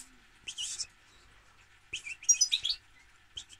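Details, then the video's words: European goldfinch producing a few brief phrases of buzzy, liquid twittering and a high whistled note, with silence between bursts and a low hum in the background. "Goldfinch - Jilguero"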